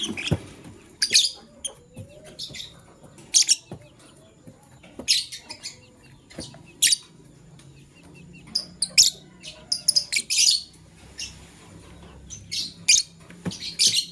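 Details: Lovebird male courting a partner: sharp, high, scratchy chirps in quick bursts, sometimes doubled or tripled, spread unevenly over the recording with quiet gaps between groups.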